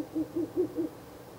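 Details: Ural owl at night by a nest box, 16 April 2024, on the third night of visiting the nest; four low, mellow hoots in quick succession, about five a second, against a quiet background.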